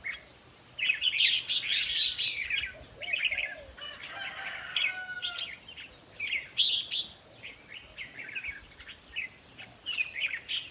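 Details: Red-whiskered bulbuls in a decoy-trapping setting, their song played to excite birds: dense, rapid bright chirps and warbles with few pauses, and a brief harsh rasp partway through.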